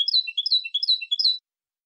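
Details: Clean 'limpio' style song of a European goldfinch from 2020, a dense, continuous burst of sharp high twittering notes rising and falling in quick alternation, stopping abruptly.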